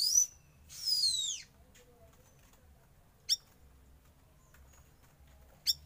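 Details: Young wild-caught Oriental magpie-robin kept for sauna therapy gives a bright whistled note and a long, loud downward-slurring whistle, then silence broken by two isolated sharp chips.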